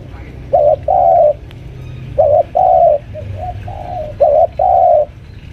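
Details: Spotted dove lure bird about five years old, caged at home, pressing a rival: paired coos, a short bent note then a longer steady coo, repeated roughly every two seconds with softer low coos between, over a low hum.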